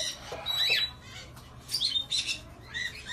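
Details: An African grey parrot gives three short bursts of high whistles and raspy squawks about a second apart, with faint background hiss.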